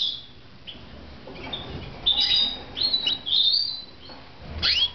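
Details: After a quiet opening, red mosaic canaries kept at home in Moudania break into clustered high chirps and short buzzy slurs. A last rising note closes the passage.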